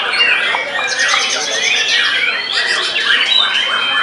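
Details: White-rumped shama after its molt, singing in a frenzy against rival birds: arching whistled slurs and fast repeated clicking notes woven into a dense, continuous outpouring.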